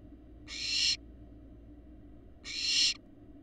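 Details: Barn owl fledglings, large and parent-like, on a live Florida nest cam, eggs laid January 2022: a pair of loud, noisy hisses two seconds apart, each rising in volume and clipped off sharply, low hum behind.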